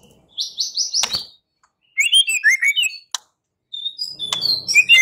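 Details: White-rumped shama fighting song: a fast run of buzzy, high notes, then bursts of sharp, varied whistled phrases sweeping up and down, broken by short pauses and a couple of clicks.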